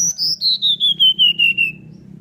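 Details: Sunda forktail, beak open, singing to draw other birds into song: a clear series of about nine short whistled notes, each slightly lower than the last, sliding steadily down in pitch over under two seconds.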